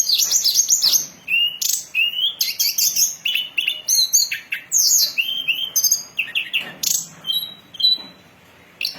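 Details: Hill blue flycatcher song for luring and training birds: fast high whistled phrases and sharp descending notes in rapid succession, sung in bursts for several seconds before trailing off.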